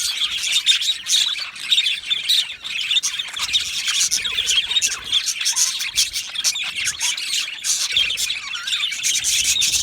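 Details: Many Australian budgerigars chirp together in their aviary, a thick, constant chatter of quick high notes and sharp clicks that barely dips in volume.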